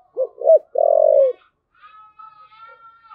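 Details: Spotted dove in "thúc gù" cooing: two short, hollow, rounded notes, then a longer low purring coo that fades downward. Afterwards a faint, thin, steady whistle-like tone lingers in the background.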